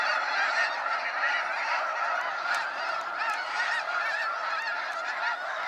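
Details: Sunset fly-out of snow geese at Sacramento National Wildlife Refuge; heavy chorus of barking, nasal honks from many birds, continuous and loud throughout.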